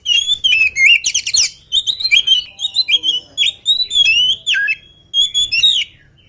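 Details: Lively oriental magpie-robin in full song before being fed. A near-continuous run of rich whistles, quick slurred notes and brief rattling trills follows in rapid, irregular succession.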